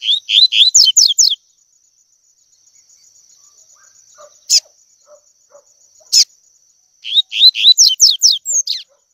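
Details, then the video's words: A double-collared seedeater sings the tui tui song for training young birds. Rapid series of about six to eight rising and falling whistles opens and closes the recording. Two sharp clicks and a faint steady high whine fill the quiet middle. "COLEIRO TUI TUI P/TREINAR PARDINHO A CANTAR TUI TUI"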